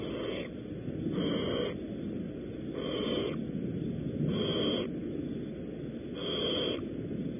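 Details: Barn owls at a nest at Audubon Starr Ranch, California, during prey deliveries: harsh, breathy hissing screeches about half a second long, repeated roughly every one and a half seconds over steady background hiss.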